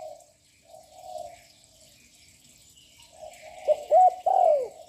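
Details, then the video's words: Young spotted dove cooing continuously to rouse other doves: soft muffled coos at first, then near the end three sudden loud ringing notes, the last longer and falling. "Chim cu gáy tơ giọng lớn kích bổi căng lửa ngay / gáy liên tục"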